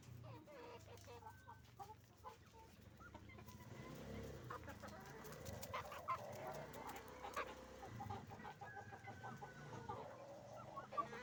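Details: Hens and roosters on a chicken farm making noise, with many overlapping clucks and drawn-out squawks throughout, over a steady low hum.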